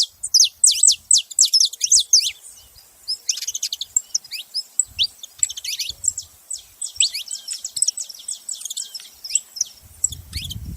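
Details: Saffron finch pouring out fast, high chirps and downslurred notes in dense bursts, pausing briefly between phrases, with a short low rumble at the very end.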